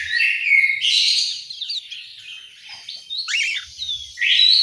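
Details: Aviary recording from Malang, East Java, of an orange-headed thrush giving bursts of loud, rich, rapidly varied whistles and twangy slurred notes, separated by brief softer gaps.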